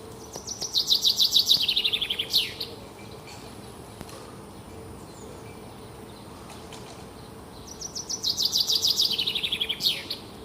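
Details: Two songs from a small bird in the morning, about six seconds apart: each a rapid high trill that descends steadily and ends with an upswept note, with quiet hum between phrases.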